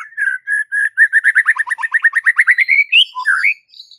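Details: White-rumped shama masteran training recording: a few steady whistles speed into a fast rattling trill of short notes, ending in upward whistled slurs.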